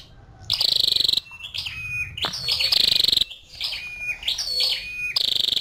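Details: Female scarlet-backed flowerpecker: high, fast ticking trills in three or four bursts, linked by thinner sliding tones at a lower pitch.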